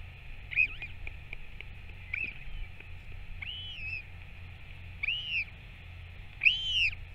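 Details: A Northern royal albatross parent back at the nest feeding its chick on 21 May 2024; arched, whining calls rise and fall, about five spaced through the passage, with faint ticking notes and a background hiss.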